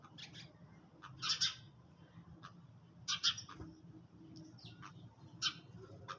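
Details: Sparrows feeding at dawn: loud clustered chirps come in three main bursts with softer single tweets between, over a quiet low hum.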